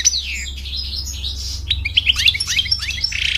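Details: A male European goldfinch delivers a quick jumble of bright tinkling chirps and downward-sliding whistles, continuous over a few seconds, against a constant low hum.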